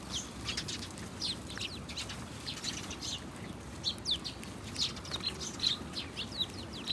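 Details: House sparrow giving short, bright chirps, scattered and sometimes overlapping, over a steady low rumble of background noise.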